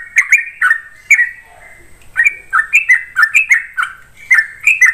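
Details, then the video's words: Sooty-headed bulbul singing actively in the rapid 'ropel' style: quick bubbly, liquid whistled phrases of two to four notes, bursting in rapid clusters with short pauses, against a quiet background. "TRUCUKAN GACOR ROPEL"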